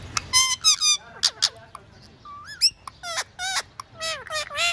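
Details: Tame, playful pet talking parrot at home giving random calls: bright squeaky whistles, rising and falling hooked notes and short chattering bursts, with pauses between.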